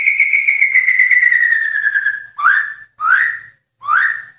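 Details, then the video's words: White-rumped shama song from a master recording used to train songbirds: a long, slowly falling whistled trill, then three short rising whistled notes in quick succession. "Masteran Terbaik Murai Batu"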